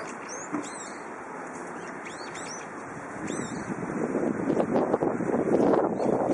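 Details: Brown-eared bulbul on a windy spring day: quick clusters of high, curved, squeaky notes in the first half, then wind gusts swell and the bird falls silent.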